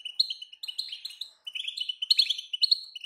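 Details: European goldfinch female call used to stir a quiet male into singing: quick runs of bright, high chirps and tinkling twitters in bursts, separated by a short pause.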